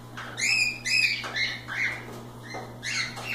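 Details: Several free-flying cockatiels playing and having fun: repeated bright arched chirps and whistles, with a steady low hum in the background.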